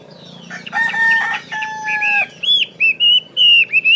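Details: Chinese hwamei song follows a rooster-like crowing note held through the first two seconds, then a run of bright, sharply slurred whistles in rapid, evenly spaced bursts.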